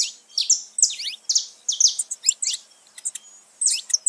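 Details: Saffron finch song meant to rouse pet birds, mixing bright high descending notes with quick upward slurs and short clicks in an irregular, lively pattern.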